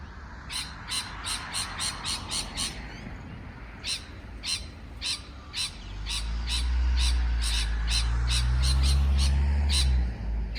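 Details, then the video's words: Parrot calling in quick, regular harsh chirps, roughly four per second, throughout; from midway a loud low rumble like wind or handling noise rises beneath the calls. "美丽的鹦鹉鸣叫beautiful parrot chirping sound call"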